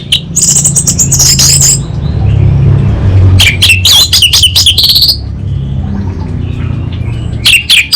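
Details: Orange-headed thrush (anis bata) singing 'kabel konslet' style: high squeaky chattering bursts, a pause, then a fast run of sharp repeated notes and brief chips, with a constant low engine hum.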